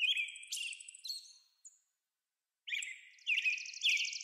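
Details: An American robin calls, heard in 8D sound: a few slurred whistled phrases with high squeaky overtones, a short silence, then more phrases ending in a fast buzzy, rattling high flourish.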